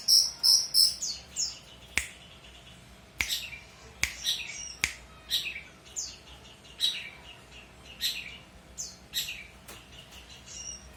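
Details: Long-tailed shrike in full, energetic song, recorded as a tutor for training other birds: a run of high, varied squeaky notes and sharp chirps, with several loud clicks or snaps standing out between the phrases.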